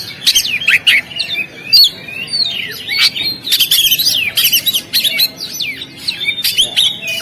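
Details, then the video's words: Kacer, the Oriental magpie-robin, performing on the contest stand: a continuous stream of rapid, varied whistles, slurred glides and clicky chirps with frequent sharp accents. "SUARA BURUNG KACER, Langsung on di gantangan"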